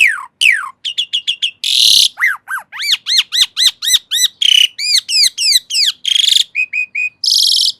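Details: Asian pied starling delivering quick slurred whistles, a rasping burst, a run of arched chirps repeated rapidly and several harsh squawky notes, in a clean recording.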